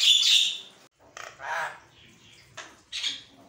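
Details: Javan myna singing in the morning, a recording used to provoke caged mynas into answering and becoming agitated; a loud harsh, buzzy burst with a brief whistle, then shorter rasping notes separated by pauses.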